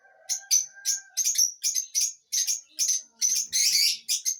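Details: Lovebird chirps come in a quick, nearly continuous string of high, piercing notes, a few run together into doubled chirps, ending in a harsher squeaky burst.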